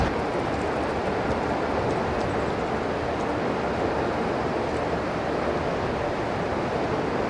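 Dense, roaring wind or surf-like noise fills the recording evenly from start to end, with no animal calls.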